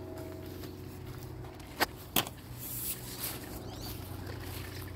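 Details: Steady low vehicle hum outdoors, with a few footsteps and two sharp clicks midway, and no animal voice heard.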